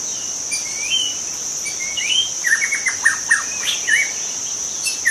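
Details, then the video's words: Wild forest white-rumped shama song, used to lure other shamas: slurred rising whistles followed by a burst of quick downward notes, set against a continuous high insect hum. "suara asli murai batu hutan cocok untuk Memancing murai batu lain"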